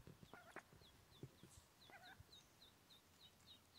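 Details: Rapid little descending peeps from newborn mallard ducklings continue throughout. Two louder, lower chirps break in near the start and middle, with soft low thumps and rustling beneath.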